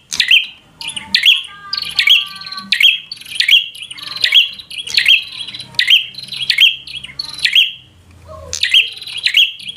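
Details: Bar-winged prinia in full chattering 'gacor' fighter song meant to provoke a rival: loud sharp notes with a clicky onset and a steady whistled tail, repeated in quick bursts about every second with brief pauses.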